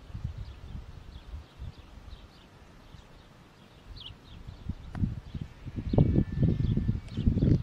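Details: White stork: after a quiet start with distant small-bird chirps, a loud run of rapid low clattering knocks begins midway and continues to the end.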